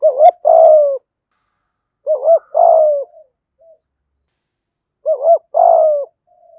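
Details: Spotted dove decoy bird cooing in the deep 'thổ' voice: three phrases about two and a half seconds apart, each a quick wavering double coo and a longer falling coo, trailed by soft short notes.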